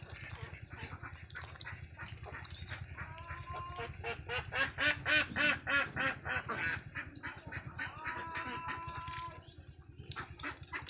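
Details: Ducklings on a farm: a busy run of short, repeated quacks and peeps, some with a held tonal note, over a steady low hum.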